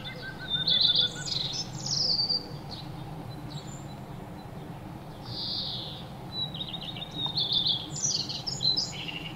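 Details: Birds chirping as they bathe and eat: repeated bursts of high, twittering chirps alternate with short pauses and a soft hissing sound, over a constant low rumble.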